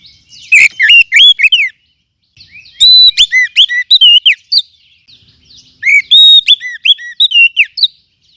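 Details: Lure recording of a wild forest oriental magpie-robin, meant for training other birds: three energetic bursts of ringing whistles, quick rising and falling notes and sharp clicks, with short gaps between them.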